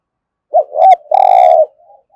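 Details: Close spotted dove thúc gù phrase, the cooing style played to prompt other doves to call: a short hoot, a swelling second note, then a long, slightly pulsing coo, trailing into faint softer notes.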